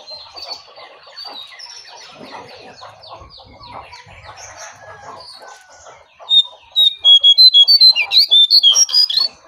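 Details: Sooty-headed bulbul, wild bird confronting a caged one, which drives the wild bird away. Low clucking and chatter comes first, then a loud burst of repeated clear whistled notes during the final three seconds.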